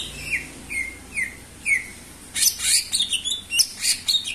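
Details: Energetic singing of a greater green leafbird (cucak ijo), recorded to lure other birds: several clear downslurred whistles spaced about half a second apart, followed by a dense burst of scratchy, buzzy chattering notes.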